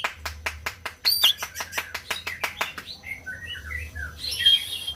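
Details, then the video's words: White-rumped shama song used to stimulate silent birds to sing: a run of rapid repeated clicking notes followed by short whistled phrases and a burst of high scratchy notes. "SUARA MURAI BATU BUAT BURUNG MACET BUNYI"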